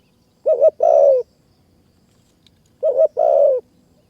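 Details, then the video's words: Spotted dove heard near a caged decoy in mountain forest, Kanchanaburi, Thailand; two loud mellow phrases about two and a half seconds apart, each a quick double note then a sustained, gently falling coo. "นกป่ามาเร็วมาก ดินแดนนกต่อ นกเสียงดี | ต่อนกเขาใหญ่ป่าสูงเมืองกาญ"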